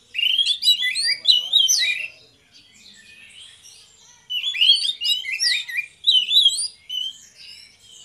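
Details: Two orange-headed thrushes giving energetic ngeplong song: loud bursts of rapid, twisting whistled notes, a pause of about two seconds with soft chatter, then another long, vigorous phrase, all high and clear.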